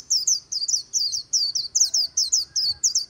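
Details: White-eye líu song near the Kỳ Cùng River, made of short paired high chirps, each pair dipping in pitch, repeated roughly twice a second in an uneven rhythm over a soft low murmur.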